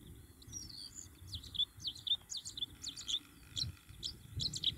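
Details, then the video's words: Bluethroat filmed singing in June 2021: a rapid run of high, thin chirps and sharp metallic notes, with scratchy twittering repeated in quick bursts, over a low rumbling background. "GORGEBLEUE à MIROIR - Chant d'Oiseau"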